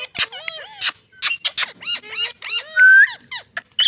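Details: Ring-neck green parrot chattering in rapid, nasal, speech-like syllables mixed with squeaks and a sustained bright whistle near the end, the phrases broken by short pauses.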